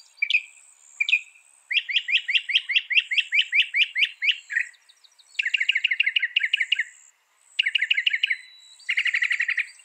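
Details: Northern mockingbird song offered as tutor recording for songbirds, a species said to copy 200 sounds: bursts of rapid chattering trills, each phrase repeated in quick series, broken by short pauses, over a faint steady high hiss.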